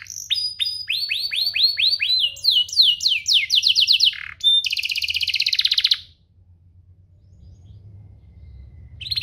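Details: Domestic canary song offered as a model for young canaries to learn: fast series of repeated descending sweeps, then rising slurred notes and a rapid buzzy trill, ending in quiet with faint low hum.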